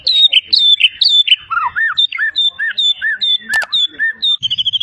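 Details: Champion Medan white-rumped shama in full song, mimicking many bird species: loud, clear whistled notes, high slurred phrases repeated in quick succession, then lower looping whistles, a sharp click and a fast buzzy trill at the end.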